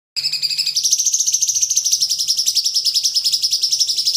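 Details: Crimson sunbird (burung sogon) song offered as a tutor recording for young cage birds: a thin, very high, rapid trill of sharp ticking notes, steady for four seconds after a brief lower-pitched opening.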